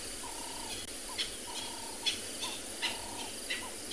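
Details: A Cape turtle dove at sunset on 14 March in Tswalu Kalahari Reserve, South Africa gives a soft, level cooing phrase ending in a short lift, repeated about every 1.3 seconds, over a hiss of insects and faint chirps.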